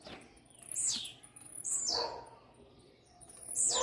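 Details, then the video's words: Very fast singing by a blue-black grassquit aimed at another bird: three shrill, buzzy, falling notes spaced one to two seconds apart against a soft hiss. "TIZIU MUITO RÁPIDO CANTANDO PRA OUTRO"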